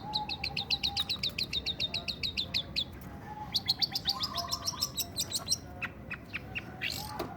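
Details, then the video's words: Long-tailed shrike in breeding condition, churring korok while singing: quick series of high, clipped chirps repeated several times a second, pausing and resuming in a second run, with a low steady whistled tone in the background. "Burung Cendet Birahi POLLL...bunyi sambil mengkorok!!"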